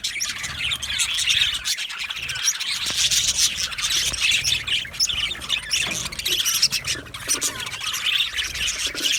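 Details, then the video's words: An aviary colony of budgerigars chirps happily, with steady high-pitched twittering and scratchy warbles layered over one another for the whole stretch. "Amazing Budgies sounds | Budgies chirping sounds | Happy Budgies sounds"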